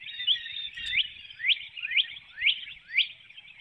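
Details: Before dawn on 12 April 2019 in Hanover, Pennsylvania, the nesting female bald eagle calls while departing through the woodlot, recorded by webcam: high squealing notes, each rising sharply, repeated about every half second over a thin chatter.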